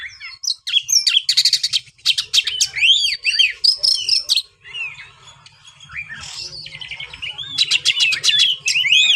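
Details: White-rumped shama song: rich varied phrases of whistled slurs and rapid buzzy trills high in pitch, fast and irregular, with a low hum beneath.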